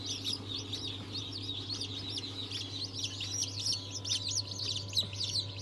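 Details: Just-hatched chicks, mixed breeds such as Habesh, Sultan and Wyandotte, 22 January 2023: loud, busy chorus of high, sharp cheeps repeated in quick succession, with a steady low hum underneath.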